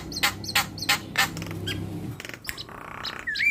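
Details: Javan myna in active song with nodding, a tutor recording: several loud rasping squawks in quick succession, then a softer stretch and a final slurred whistled note.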